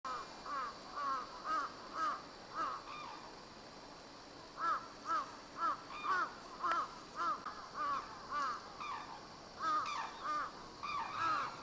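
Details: A captive black-necked crane at Akan International Crane Center on 8 January 2006 gives loud, hoarse trumpeting notes in runs of several, about two a second with short pauses, over a steady background hum.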